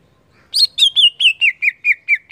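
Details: Ngeplong song from a greater green leafbird (cucak ijo), singing energetically: nine ringing whistled notes delivered evenly about every quarter-second, starting high and sliding slightly lower as the phrase continues, each note curling downward.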